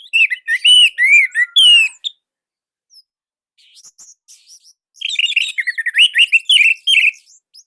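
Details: Indonesian orange-headed thrush, a loud, tight-voiced tutor song for young birds: rich whistled phrases and rapid high notes, a quiet pause with faint twitters, then another fast run of loud varied whistles.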